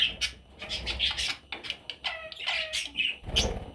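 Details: Parrot chicks giving short scratchy chirps and squeaks in quick irregular bursts, some with rapid buzzy rattles, over faint low background rumble.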